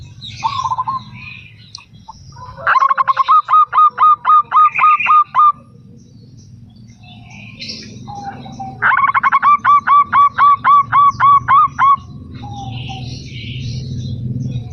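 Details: Zebra dove, a local perkutut, in manggung song: two bursts of quick, evenly spaced, hooked cooing notes, each run lasting about three seconds, with short soft trills between them and quiet background hiss.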